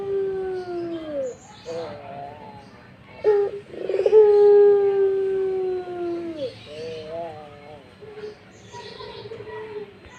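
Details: Barbary dove cooing in breeding mood: several low, long, slightly falling coos, one with a rolling stuttered start, separated by short pauses, with faint background voices.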